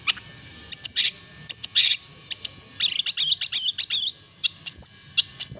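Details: Long-tailed shrike (cendet) giving a melodious song: bursts of sharp high chirps and quick downslurred whistles in irregular clusters, busiest near the middle, with short pauses between phrases.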